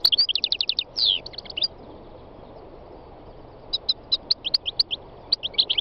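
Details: North African goldfinch, aged three, singing on a spring day in the northwest mountains of Tunisia: quick twittering run with a buzzy drawn note, a brief silence, then separate bright chirps spaced a fraction of a second apart.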